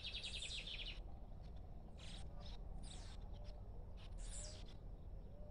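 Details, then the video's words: Lined seedeater singing free, not caged: a quick run of high, evenly repeated notes opens, followed by scattered short bright bursts of song over steady low background rumble. "Bigodinho cantando Solto"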